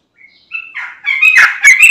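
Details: Sooty-headed bulbul song played to lure other bulbuls: a thin opening note, then a brief run of warbled notes swelling into a loud, chattering flourish.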